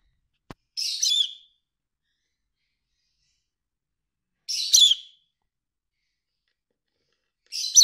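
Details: Lovebird (Agapornis personata) trying to mate with another, giving short, harsh, high chattering bursts about half a second long, repeated every three to four seconds, with a single faint click near the start.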